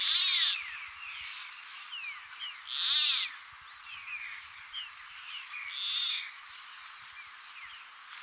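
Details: Endangered Peruvian plantcutter in northern Peru's coastal dry forest, giving three harsh, buzzy, frog-like calls, about one every three seconds, over a busy background of chirping and whistling from other birds.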